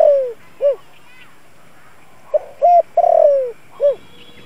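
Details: Spotted dove lure bird in the 'giọng thổ' voice, cooing to draw in wild doves: the end of one phrase, then a fresh phrase of stuttering notes, a long descending coo and a short arched note.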